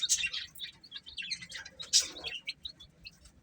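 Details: Baby chickens chirping while eating, giving bright, high peeps in quick uneven bursts, some clustered and overlapping, with soft pecking and rustling beneath.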